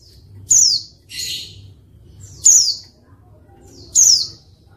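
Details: High, falling white-eye notes alternating with softer rasping bursts, about four notes in under five seconds; a female calling to provoke males that will not sing, over a faint low hum.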